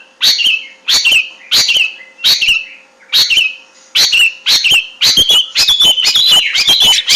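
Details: Long-tailed shrike in its natural habitat, repeating a harsh rasping note with a whistled tail roughly every two-thirds of a second, the phrases crowding closer together toward the end.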